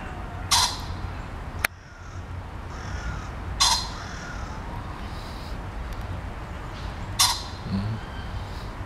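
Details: Common pheasant crowing from a tree in a zoo on 18 November 2020: three loud, harsh, ringing crows about every three and a half seconds over a low background rumble.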